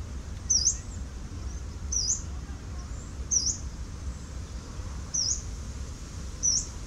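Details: Yellow-browed warbler, recorded 10 November 2018: a high, piercing, upslurred 'tsweet' note repeated five times at roughly 1.5-second intervals, clear above faint low-frequency hum.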